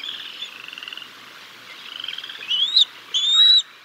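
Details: Bald eagles on the Decorah North nest cam, 6 May 2022, during a fish feeding of chicks by the male before the female takes over. Soft rapid chittering trills, then two loud sharp whistled notes near the end.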